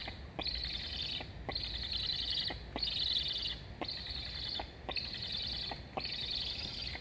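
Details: Black stork chicks at a nest in Estonia, filmed by a live nest camera on 26.08.21; one chick begs to be fed while its sibling flies along the nest. Harsh, buzzy chirping calls of about a second, repeated steadily, with faint clicks between them.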